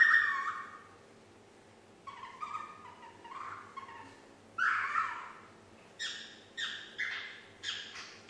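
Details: Nine-month-old female parrot kept as a pet, learning to whistle Yankee Doodle; a long whistled note, then softer wavering phrases and short rising whistles repeated near the end, room hum in the background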